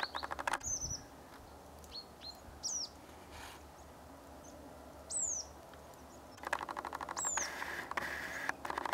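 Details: A Crested tit in Norway gives a call resembling a Red-throated Pipit's: thin, very high, downslurred notes. Short rattling, purring trills come at the start and end, over a soft background hiss.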